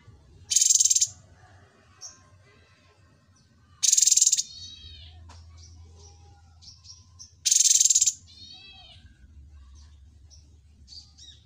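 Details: Cucak cungkok, a well-mastered songbird, gives three loud, harsh, rapidly pulsed bursts about every three and a half seconds, each followed by faint high whistled notes and short chips over a low background hum.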